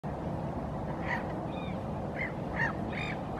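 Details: Black-headed gull standing on a rock in Helsinki, Finland, in April 2023, calling in dialogue with another gull nearby: short, harsh, nasal calls, about six in three seconds, over a steady low rumble.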